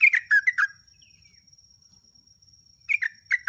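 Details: Sooty-headed bulbul singing, used as a lure to train captive birds: two bursts of quick, bright chirped notes separated by a pause of about two seconds, over a faint steady high-pitched whine.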